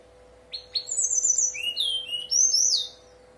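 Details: Brown-chested jungle flycatcher singing a flute-like song, used to prompt other birds to answer and sing: a rising note, then a bright run of clear whistled phrases sliding up and down, about three seconds long, over a faint steady low hum.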